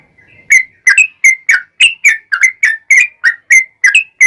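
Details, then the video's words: Lively, unbroken song of a yellow-vented bulbul, meant to lure other bulbuls into replying: a fast string of liquid, slurred whistled notes, roughly three to four each second, each note bright and ringing. "SUARA trucukan gacor ROPEL PANJANG pancingan trucukan agar bunyi"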